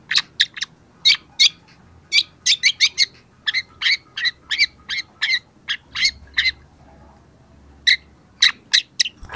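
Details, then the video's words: Young long-tailed shrike in energetic song, a training and lure recording for shy shrikes: a long brisk stream of crisp high chips, often doubled or tripled, with brief pauses between groups. "cendet muda sudah gacor pancingan cendet malas bunyi"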